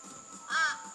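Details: A single harsh, nasal caw from one of about five crows agitated by a couple of hawks near New Beach, south of Carnarvon, Western Australia, rising and falling over about a quarter second, over a faint hiss.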